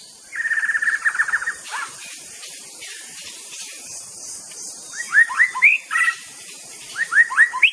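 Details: White-rumped shama (murai batu), a songbird known for mimicking other birds, sings a fast rattling trill, then after a pause a series of rising, upslurred whistled notes repeated in quick groups over steady background hiss.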